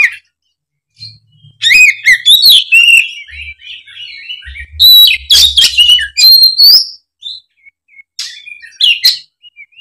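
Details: Lure song of a loud Oriental magpie-robin meant to make an off-form speckled bird answer; after a quiet start, fast bursts of whistles and scratchy chirps follow in uneven runs, with low humming underneath.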